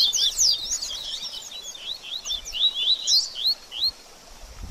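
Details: Double-collared seedeater in baderninha song style, meant to warm up a kept bird after moulting: a rapid jumble of high, sharp, slurred chirps and rising whistles, busiest in the first second and then thinning into spaced upslurred notes.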